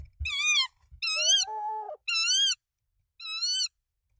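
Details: Tawny owls at a Danish nest on 24 March 2024, three eggs laid, the male arriving with rodents for the female: four loud, harsh calls, with a lower, longer, wavering note overlapping the second, and rustling at the start.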